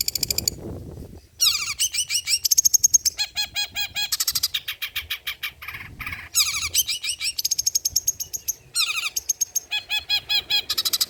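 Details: Long-tailed shrike (cendet) in old-school 'materi jadul' song: loud, dense, varied phrases of rapid repeated notes, buzzy trills and harsh squeaky rising bursts, almost continuous after a short quiet start.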